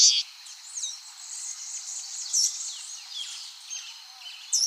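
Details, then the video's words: Common waxbill song, original clean recording: a quiet, continuous high twittering with thin slurred whistles and short rising and falling notes, punctuated by a few louder sharp bursts at the start, middle and end. "Som limpo do canto🎵 do Bico de Lacre. Som original da ave, sem interferência de efeitos sonoros."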